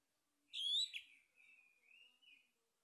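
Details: Male orange-headed thrush, recorded as a lure to stimulate singing: one loud, high, slurred whistle followed by a softer trailing series of lower warbled notes.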